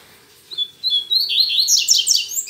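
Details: Double-collared seedeater singing on a Saturday morning, still a weak song: a few short whistled notes near mid-high pitch, then a rapid run of rising, slurred notes climbing higher into a dense bright trill, over a quiet background.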